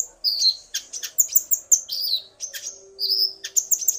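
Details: Male common iora provoked into song by a female, the pair alternating. Loud, clear high whistles, some slurred downward, are broken by rapid chips in lively irregular phrases.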